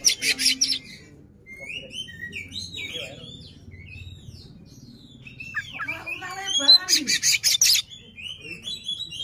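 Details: Oriental magpie-robin in play song, tail spread to agitate rivals: harsh rasping bursts and slurred whistles, with a stretch of low murmuring human voices in the middle of the clip.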